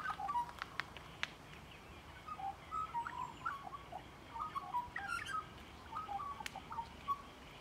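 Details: Magpie heard up close with a quiet, rambling warble of short whistled and chattering notes in irregular bursts, with a few sharp clicks.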